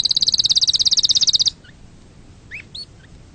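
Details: Canary giving a loud fast high trill of about twenty notes in a second and a half, followed by two soft chirps.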